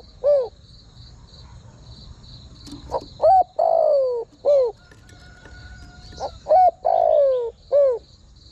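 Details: Spotted dove cooing to draw wild birds closer. Repeated phrases of short, arched and long descending coos, about three seconds apart. A faint click and a thin mid-pitched tone come between phrases, over a steady high buzz.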